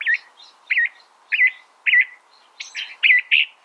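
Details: California thrasher delivering a repeated looping phrase several times, about every half second, then switching to broader, harsher notes at the end.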